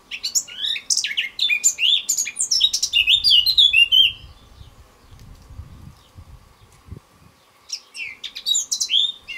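A male Eurasian blackcap sings a rich, fast warbling phrase ending in clear fluting notes, then starts again after a pause; a steady hum and low rumbles lie beneath.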